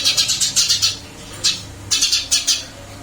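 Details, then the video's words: Eurasian tree sparrow in a cage after rehousing, producing two bursts of quick, bright chirps, about six notes each, separated by a short pause, over low indoor hum. "Burung gereja pindah sangkar Alhamdulillah tetap gacor"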